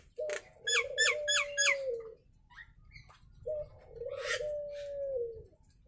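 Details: Nias hill myna in its natural voice gives a rapid series of harsh, raspy notes over a level low whistle. After a pause comes a second long whistle with a buzzy burst in the middle.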